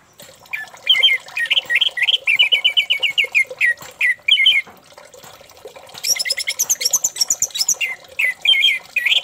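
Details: Song of an orange-headed thrush, played to coax another thrush into singing; loud whistled notes in quick repeated series, broken by short pauses, then a higher, faster trilling passage.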